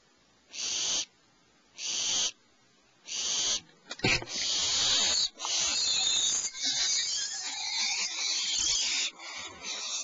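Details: Owlets in a nest cavity at 04:47 PST as the mother lands with prey; three spaced hissing screeches, then a loud click and almost continuous overlapping raspy hissing.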